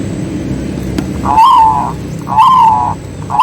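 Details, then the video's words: Zebra dove of a local strain, its voice used as a lure to rouse other doves into song: two loud, drawn-out tonal coos about a second apart, each slightly falling at the end, after a quiet hum-filled start. "BURUNG PERKUTUT LOKAL GACOR SUARA COCOK UNTUK PANCINGAN || ZEBRA DOVE"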